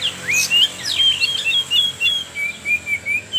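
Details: Song of an oriental magpie-robin played to draw young speckled birds into singing, opening with chattering chirps, then a string of clear whistled notes repeated about every quarter second.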